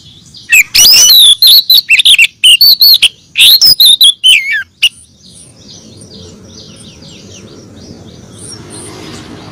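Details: Female oriental magpie-robin calling the male: about four seconds of rapid, loud whistled notes that twist up and down in pitch, then fading into quiet background hiss.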